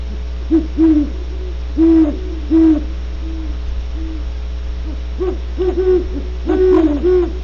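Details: Deep great horned owl hooting from Starr Ranch in California: paired and clustered low hoots repeated through the recording, some overlapping as if more than one bird calls, with a constant low electrical hum beneath.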